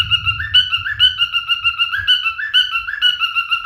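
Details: Singing male cockatiel: bright, evenly spaced whistled notes forming a repeating bouncy melody, with some low rumbling in the background, loudest near the start.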